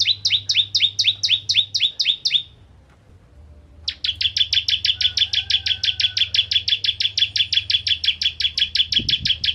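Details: Bar-winged prinia (ciblek kristal) singing hard, used to lure rival prinias into song: nine sharp chirps, a pause of over a second, then a long sustained string of about forty rapid, evenly spaced high chirps.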